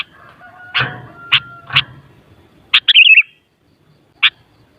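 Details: Sooty-headed bulbul sound for rousing other bulbuls to reply: three sharp clipped chirps over a low hum and a faint steady tone, a pause, then a quick warbled whistle phrase and one last sharp chirp.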